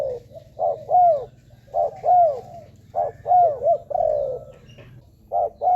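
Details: A spotted dove gives soft, hollow coos used to lure wild doves. Each phrase pairs a short lead note with a longer falling coo, repeated at roughly one-second intervals, with a faint low hum beneath.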